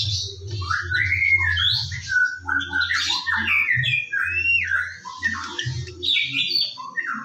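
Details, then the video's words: Morning song of a white-rumped shama, used as a lure for other birds: varied clear whistled phrases, some gliding, mixed with scratchy chatter and short trills, over an intermittent low droning hum. "PANCINGAN BURUNG MURAI BATU DIPAGI HARI AGAR GACOR"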